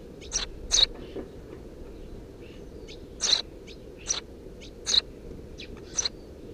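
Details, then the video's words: Three Eurasian tree sparrow chicks nesting under the roof of a house on 2 June 2017 give sharp, high chirps in scattered bursts, some paired, with quiet gaps between, against low background rumble. "Воробей полевой 170506 1 под крышей дома 20170602gp4k 3 чирикающие мордашки"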